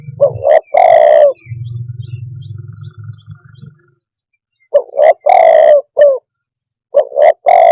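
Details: Three cooing phrases from a spotted dove, each with short coos, a long hoarse coo and a brief falling note. A low droning hum fills the pause after the first phrase.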